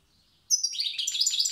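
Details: Wild European goldfinch from Tiaret singing in the old song style: after half a second of quiet, a bright, rapid twittering of high tinkling notes and buzzy trills.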